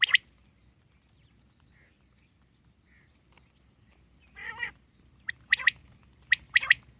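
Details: Common quail in the wild: a lone sharp note, a long pause, one nasal buzzy call, then two brisk bursts of sharp clipped notes.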